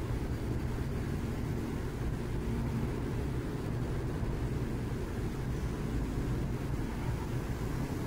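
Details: Constant broadband traffic roar throughout, with no animal sounds.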